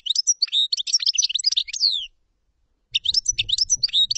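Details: Common chaffinch singing a two-second phrase of busy high notes that ends in a sliding downward note, then, after a short silence, starting another phrase over a soft low rumble.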